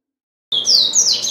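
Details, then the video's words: Caged pet double-collared seedeater (coleiro), said to sing all day and pause only to eat, delivering a quick run of high, clear whistled notes that slur downward and sweep upward, starting abruptly after a brief silence. "Coleiro Bravo - Canta Muito"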